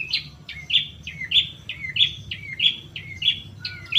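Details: Long-tailed shrike lure for getting caged shrikes to respond: a harsh note followed by a thin whistled slur, the pair repeated steadily about every 0.6 seconds.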